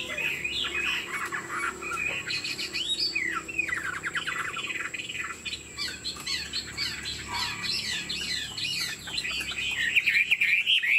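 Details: Chinese Hwamei in captivity sings a busy, harsher stretch: rapid buzzy and rattling notes mixed with squeaky whistles, dense and chattering throughout, with a steady faint background hiss.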